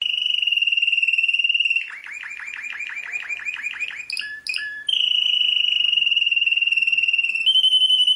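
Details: Champion canary singing: a steady rapid trill near the top of its range, then a run of fast descending rolled notes, a few sharp chips, and a return to the level trill.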